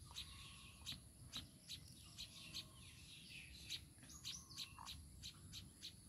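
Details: Baya weaver together with its chicks: sharp, high chirps repeated irregularly, some in quick pairs, with occasional longer sliding notes, set against a constant faint high-pitched hum and low rumble.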